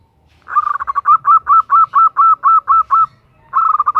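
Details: Calling to the male, a female zebra dove produces a brisk stutter that becomes about a dozen clear, evenly spaced coos. After a short pause, a second fast phrase begins.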